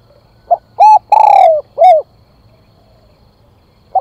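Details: Spotted dove calling, used as a lure to stir wild doves: a four-note phrase of a brief soft note, a short coo, a long quavering coo sliding downward, then a final short coo, with the next phrase just starting.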